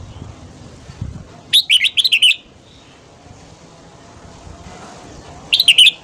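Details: Red-whiskered bulbul singing in the morning, played to stimulate wild birds: a brisk phrase of five or six chirpy whistled notes, then a quiet gap and a second, shorter phrase, with low background noise.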